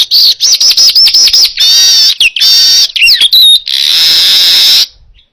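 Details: Loud baya weaver song used to train other cage birds: fast stuttering buzzy notes give way to long wheezy sizzling trills and sliding squeaky whistles, ending in a drawn-out hiss before silence.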